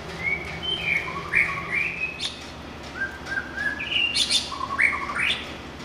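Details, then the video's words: Wild white-rumped shama singing very actively: a varied run of clear whistled phrases, some sliding up and others dropping, with quick high notes in between, over a faint steady background hum. "suara kicau burung MURAI BATU LIAR SUPER GACOR"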